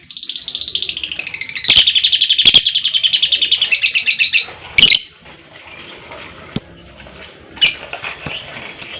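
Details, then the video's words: Fighter lovebird in ngekek style, a long trill meant to prompt other lovebirds to sing: a shrill, fast rattle runs about four seconds, broken by a harsh chirp, then scattered short high ticks. "LOVEBIRD NGEKEK PANJANG DAN GACOR,Dengan Suara Fighter Ngetik,Ngekek Panjang"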